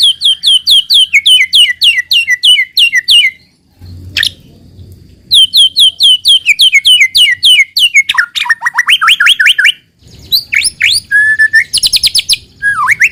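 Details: White-rumped shama lure song to set other shamas singing: long runs of quick, evenly repeated high chipping notes, a brief pause, then more rapid series and sweeping whistles.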